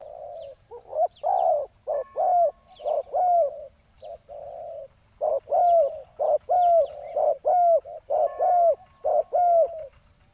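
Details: Spotted dove set on the ground as a decoy to lure a loud-voiced rival: low, hollow coos in short bursts, some notes bending down into a slurred whistle, repeated about once a second, with two birds overlapping and faint high chirps behind.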